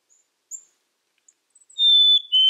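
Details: A single whistled phrase of a black-capped chickadee near the end, a high pure note stepping down to a lower one, after a few faint high chips.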